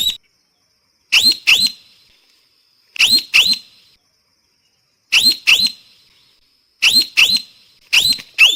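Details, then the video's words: Paired harsh, up-slurred parrot squawks repeat every one and a half to two seconds, each pair sharp and loud against a quiet background. "เสียงนกแก้ว, Parrot sound"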